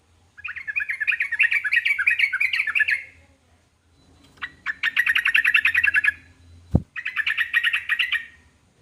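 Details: Yellow-vented bulbul song used to provoke answers from other bulbuls: three runs of rapid, gurgling chatter, each two to three seconds long, broken by brief pauses, with a sharp knock near the end.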